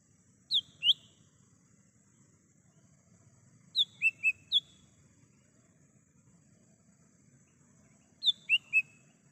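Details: Lesser green leafbird recorded in the wild, a recording meant as a lure and call for birds: short clear whistled notes sliding downward, given in a pair and then in tight groups of three or four, separated by pauses of several seconds, over a low steady hum.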